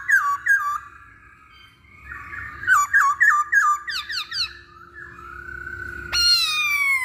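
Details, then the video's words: Singing masked laughingthrush used to provoke other birds to sing: a few looping whistles, then a fast run of descending whistled notes roughly four per second over a steady hum, closing with a loud harsh downslurred call. "Pancingan Poksay Hongkong"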